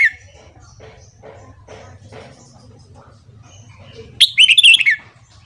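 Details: Red-whiskered bulbul morning song for training newly caught birds: soft, indistinct murmuring and low chatter, then a single bright, rolling phrase of quick warbled whistles near the end.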